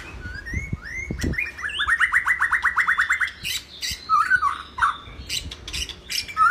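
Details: White-rumped shama song intended as a training recording for other birds: rising whistles lead into a fast run of about fifteen repeated slurred notes, then varied harsher chattering and sharp clicks.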